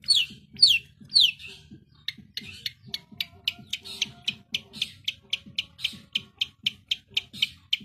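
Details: Cendet, the long-tailed shrike, singing densely: three downward-swept whistles, then a run of short, sharp ticking notes about two per second that grows steadily louder.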